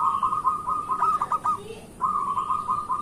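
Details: Lively local zebra dove song used as a morning lure to make idle zebra doves sing: two rolling, bubbling coo phrases separated by a brief pause.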